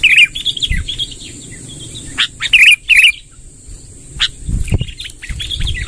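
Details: Sooty-headed bulbul, a lively rolling song meant to draw in wild bulbuls: bubbly warbled phrases in bursts, a pair of short loud notes near the middle, with a steady high hiss and low rumbling underneath.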